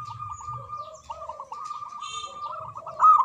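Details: Zebra dove of a local strain singing manggung: a sustained steady tone running under a chain of small rippling notes, a lower wavering line, soft low coos, and a louder burst at the end.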